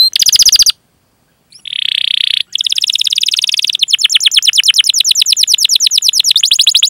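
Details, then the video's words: Rolling canary song, 'cuit cuit ngerol', to lure other canaries: a short buzzy burst, a pause, a sustained harsh buzzing note, then a long run of rapid repeated rising notes. "Suara Burung Kenari Gacor Panjang cuit cuit Ngerol"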